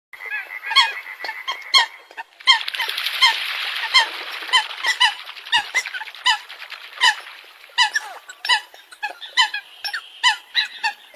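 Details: Eurasian coots calling together: a dense chorus of short, nasal, honking notes overlapping from many birds, some louder clipped calls standing out, quickening into a busy burst around the middle.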